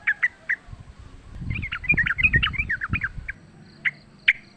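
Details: Wild sooty-headed bulbul in a fight: scattered sharp chirps and a jumbled, warbling phrase of twisting notes over low rumbling background noise.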